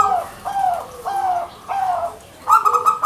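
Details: Local Indonesian zebra dove, or perkutut, singing actively: a run of mellow, slightly falling coo phrases repeated about every half second, ending in a fast, stuttering bubbling trill.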